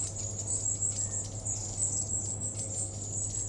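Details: Long-tailed tit flock in Totteridge Valley on 17/06/17: very high, thin calls scattered and overlapping through the flock over a steady low hum.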